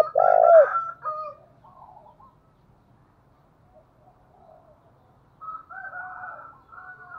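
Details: Spotted dove decoy call, thúc and gọi styles, for drawing in wild doves: one loud rounded coo at the start, then softer fading coos and a quieter, hoarser cooing phrase near the end.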